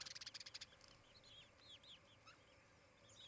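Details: Osprey at a nest in Charlo, Montana, on 23 July 2018 in late morning: a quick burst of rapid high notes, then scattered arched, whistled chirps.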